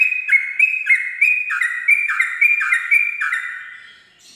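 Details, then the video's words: Sooty-headed bulbul singing in the rapid ropel style at dawn, used as a tutor lure for birds learning ropel: clear whistled notes alternating high and slightly lower, about three per second, fading out at the end. "pancingan trucuk ropel subuh"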